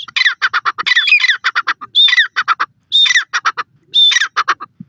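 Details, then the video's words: Indian Dakhni teetar, a partridge of South India, calling loudly: bursts of rapid harsh, grating pulses alternate with clear whistled notes that rise then slide down, the phrase repeating about once a second against a quiet background. "teter ki boli,teetar awaaz,teetar voice,indian dakhni teetar awaz"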